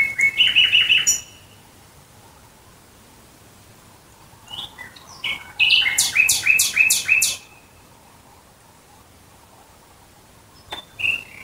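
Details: A Common Nightingale near Dresden, Germany, sings rapid bursts of high, sharp repeated notes and a fast stuttering phrase, then pauses with a few isolated whistles; otherwise quiet.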